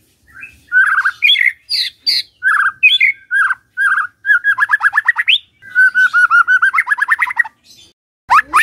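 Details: White-rumped shama song used as a morning lure to get a silent shama singing: varied whistled phrases, some rising, broken by short pauses, with rapid buzzy trills of repeated notes near the middle and end, then a sharp upward sweep.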